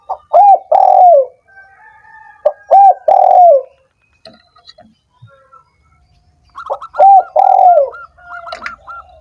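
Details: Spotted dove cooing meant to stimulate lazy doves that are slow to sing: loud, husky coo phrases of two clipped notes and a long descending coo, repeated three times, with faint higher chirps in between.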